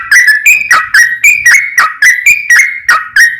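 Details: Yellow-vented bulbul (trucukan) lure song in the long rapid 'ropel panjang' style, meant to draw other bulbuls into singing: bright whistled notes with sharp attacks, about four a second, in an unbroken chattering run.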